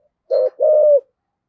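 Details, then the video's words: Spotted dove in the thổ sấm voice style, used as a decoy: one low two-part coo, a short note then a longer, steady, slightly falling note, with no background sound. "tiếng cu gáy giọng thổ sấm chuẩn Thúc Gù gáy Gọi căng lửa"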